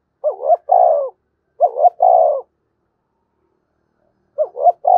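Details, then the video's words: Spotted dove in fast-paced and calling crow, repeating a three-part coo: two clipped rising notes followed by a drawn-out falling note, phrases about two seconds apart, clean and loud against a silent background. "Chim cu gáy thúc và gáy gọi cực đỉnh giọng rất hạp bổi"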